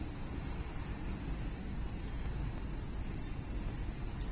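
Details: A continuous low rumble like distant traffic or wind is heard, with no animal calls.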